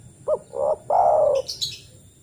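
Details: Lure call of a spotted dove, given in the wild to summon other doves. One full phrase: a brief note, a rising middle note, then a long steady coo. Thin high chirps from another bird follow.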